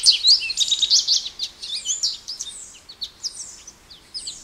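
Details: Jumbled, high-pitched twittering from an American goldfinch, mixing fast chirps with brief rising and falling whistles, fading toward the end.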